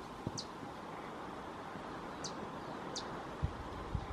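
Glowing Puffleg giving three thin, very high chips spaced one to two seconds apart, over a steady background hiss with a few low thumps.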